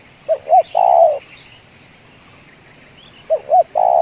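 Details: Spotted dove, a local bird said to keep cooing for two hours and suited as a decoy for luring others; two short rounded coos then a longer drawn-out note, the phrase given twice about three seconds apart, faint chirps behind.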